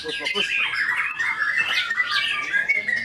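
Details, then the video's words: White-rumped shama pouring out mixed whistles and harsh chattering notes, with a short burst of human speech at the very start. "IN ACTION MURAI BATU SAKTI"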